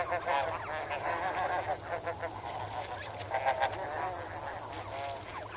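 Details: Medium close range recording of a snow goose flock swimming and wading in water: many honks overlap in an uneven, chattering stream that swells and fades, with crickets trilling steadily in the background.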